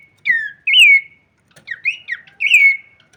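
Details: Horsfield's babbler with its wings shaking, singing a few clear whistles. Each note sweeps down or rises and falls, spaced with short silent gaps, with one quick double note in between.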